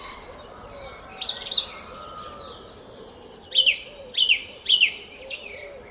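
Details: Song thrush singing in a garden at Szalkszentmárton, Hungary, at 06:15 on a spring morning, 10 April 2021: bright high whistled and chirping notes, with a short phrase repeated three times in quick succession.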